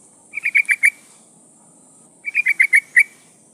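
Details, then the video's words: Female yellow-vented bulbul in breeding condition calls to a male: two phrases of four or five quick bubbly notes about two seconds apart, with a steady high hiss behind. "Suara burung trucukan gacor memanggil lawan pancingan trucuk betina memanggil jantan"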